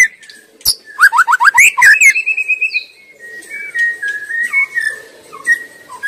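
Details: Shama singing in its natural wild habitat: a quick series of rising whistled notes, then a long sustained whistle and softer wavering phrases over a faint background hiss.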